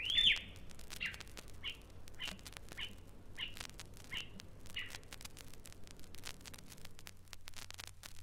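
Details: Rüppell's Robin-Chat in East Africa copying a small dog's barking and the owner's whistle of command. One looping whistle opens, then short sharp yapping notes repeat about every half second over a faint hum.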